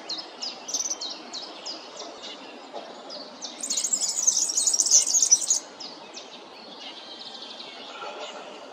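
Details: Serinus serinus, the European serin, gives a dense, shrill, glittering trill of about two seconds. Before it come repeated sharp high ticks, and faint chirps follow over background rustle.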